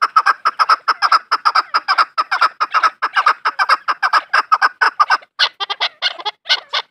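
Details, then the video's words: Farm-raised chukar partridge calling: harsh, clucking notes repeated rapidly, about two to three per second, in a steady chattering run. The notes turn higher and more spaced near the end, with no other clear sounds. "Farmi chakor francolin voice |chakor ki awaaz"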